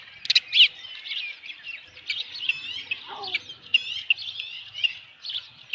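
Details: Osprey at a nest at Dunrovin Ranch on an evening in July 2018, when a headless fish is brought in: a steady stream of high, thin chirping whistles, some rising, repeated several times a second, with one louder squeal early on.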